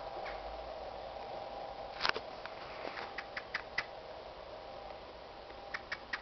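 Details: A Eurasian blackbird in a local wood in Carbrooke, recorded close-up, gives sharp, clicking chinks to other birds, single or in quick pairs at an uneven pace, over a steady low hum.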